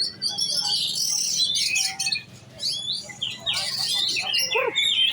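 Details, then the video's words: Kacer (oriental magpie-robin) in lomba-ready giras singing: bursts of bright, high whistles and buzzy trills, a short lull near the middle, then rising and falling slurred notes. "Burung kacer giras set lomba kejar on ngunci"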